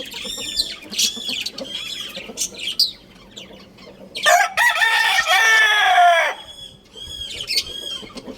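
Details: Rooster gives a long, strained crow lasting about two seconds, its pitch sliding down at the end. Repeated high chick peeps come before and after it.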